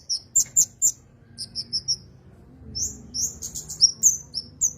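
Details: Javan cochoa, recorded as a master song for training songbirds, giving short high piping whistles in small groups: three sharp notes, a softer run of four, then a scattered sequence of thin whistles with brief rising slurs.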